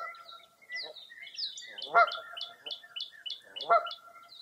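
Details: Dawn chorus along Mirror Lake, Baraboo, Wisconsin, on a foggy early April morning: rapid high chirped notes repeated about every quarter second, crossed by two strong honks roughly two seconds apart.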